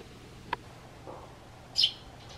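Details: Pet sparrow replying to its owner's whistle with one loud, high, slightly downward chirp after a soft click, in quiet surroundings with a faint low hum.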